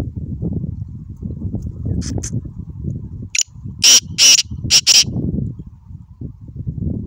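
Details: Black francolin calling, recorded 22 April 2021: a short burst of loud, harsh, grating notes in the middle, four or five rasping bursts in about a second, over steady low rumbling wind or handling noise.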